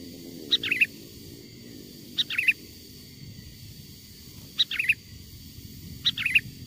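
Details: Sooty-headed bulbul song, recorded from a wild bird and used as a lure to draw wild bulbuls near: four short bright phrases of quick chirpy notes, a rising-falling twist at the end of each, spaced about two seconds apart over low rumble.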